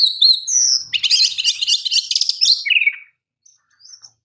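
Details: Oriental magpie-robin (kacer) song used as a master recording for training: clear whistled phrases near the start, then a dense rapid burst of buzzy chattering notes, a falling whistle, and faint short notes after a pause.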